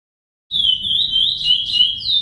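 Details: Chestnut-bellied seed finch (curió) song played as a training model for young birds to learn: one clear, high, sustained whistle that wavers gently up and down for nearly two seconds over a faint low hum.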